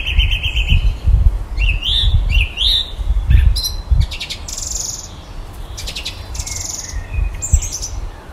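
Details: Common blackbird singing at the bottom of a garden in the evening, mimicking electronic noises: clipped high chirps, rising whistled slurs and bursts of buzzy electronic-like notes, with low rumbling background noise throughout.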